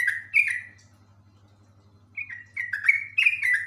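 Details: Full ropel song of a Yellow-vented bulbul: a short bubbly phrase, a second of quiet, then a quick string of warbled, falling notes over a faint low hum.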